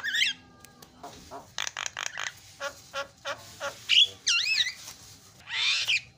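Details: Gacor Javan myna, offered as a lure for a bird that has stopped singing, gives a wheezy rising note, bursts of grating chatter, then looping whistled slurs and a rough, noisy squawk.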